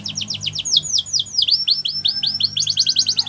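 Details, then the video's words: Canary of the Russian type delivering training song: quick chains of high falling whistles that slow into deeper, swooping downward notes, then speed back up into a tight repeated series. "Russian Canary Singing | The Best Canary Training Song"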